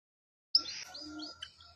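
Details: White-headed munia singing actively: a single buzzy, high-pitched phrase of about one second, starting with a sharp onset, then wavering and fading, with a faint low hum underneath and no other birds.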